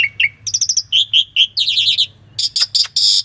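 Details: Asian pied starling, recorded live, giving rich master song for training other starlings: rapid trilled chirp series that step down in pitch, then several loud harsh rasping bursts.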